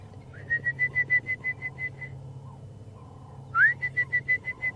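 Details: Orange-breasted bushshrike calling in the distance at a hippo waterhole, Djuma Game Reserve, South African lowveld, afternoon of 11 November 2014: bursts of clear, evenly pitched whistled notes, about three per second, over a low engine hum.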